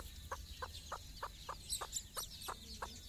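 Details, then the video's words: Hen's soft, evenly spaced clucks, about three a second, with a few high chick peeps, during a morning walk with her chicks on their first time outside. "mothers hen call her babys for morning walk"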